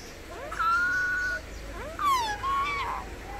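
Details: Pet Indian ringneck (rose-ringed) parakeet talking in a high, thin, nasal voice, two short word-like phrases with a brief pause between; it says "mikum" and "peekaboo".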